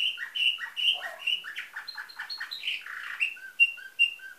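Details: Bulgarian canary with nightingale-type song, recorded 2013 in Varna: full whistled notes, fast falling chips in a rolling series, then short clear whistles spaced at an even pace.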